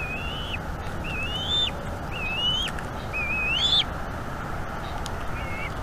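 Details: Bald eagle chick calling repeatedly while its mother feeds it at a North East Florida nest cam, 5 May 2021 evening; five rising whistles about a second apart, the fourth longest and climbing, over a quiet hum.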